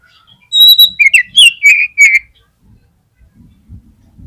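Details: An Oriental magpie-robin gives a prompting lure song for other magpie-robins: a drawn-out high whistle, then a fast series of bold, slurred descending whistles, followed by faint low rustling.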